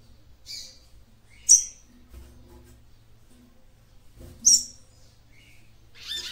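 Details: Sharp, piercing high chirps from a female papa-capim seedeater, roughly every three seconds, with softer squeaks between, uttered to stimulate the male.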